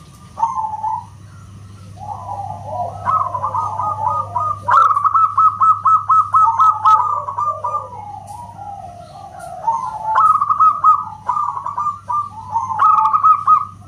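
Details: Local zebra dove song, loud and whistle-like: wavering low cooing phrases build into fast runs of clipped, repeated coo notes, with pauses and restarts; overlapping calls and a constant low hum in the background.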